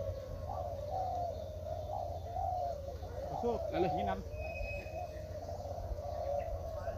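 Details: Many spotted doves cooing in a senior-class singing contest at midday under hot sun at Gunung Kembar, East Lombok: a steady, overlapping chorus of soft, low hoots, with a man's voice briefly heard.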